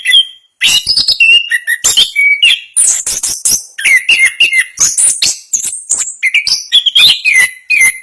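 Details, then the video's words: After a short silence, an Orange-headed thrush, a national contest winner, bursts into fast, closely spaced ngerol song of bright whistles, squeaky trills and high twittering, with no gaps between phrases. "Anis Kembang Gacor Ngerol Speed Rapat. Suara Kicauan burung Anis Kembang Juara Nasional"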